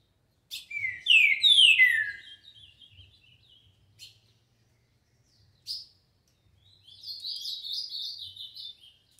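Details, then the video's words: Trinca-ferro (green-winged saltator) song in the 'tio João dobrou' style: loud, sweeping downslurred whistles opening the phrase, a pause with faint low noise, then a softer rapid warbled run. "Trinca ferro tio João dobrou"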